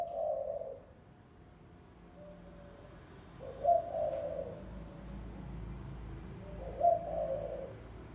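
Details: Spotted dove giving a lure call: low, soft cooing phrases, each opening with a brighter accented note and then a husky trailing coo, repeated about every three seconds, with faint quieter coos between.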